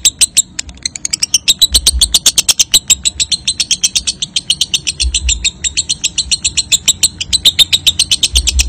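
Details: Lovebird ngekek, used as a lure to get young paud/balibu lovebirds to trill often with short pauses: a long run of rapid, high, harsh chattering notes, about four a second, with faint low hum underneath.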